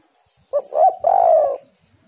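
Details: Spotted dove, locally called tekukur or derkuku, used as a lure to make caged birds call: a short two-part cooing phrase, a brief note followed by a longer, slightly falling coo around one second long, otherwise quiet.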